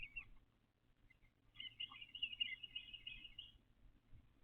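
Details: Male eastern bluebird carrying pine straw to build a nest in a backyard, nesting season, 29 April 2025: a single slurred note, then a rich two-second run of jumbled warbling whistles over faint background hum.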